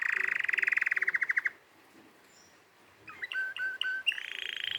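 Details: Canary song: a rapid buzzy trill that fades out, a short pause, then separate sharp chirps that run into a steady higher trill.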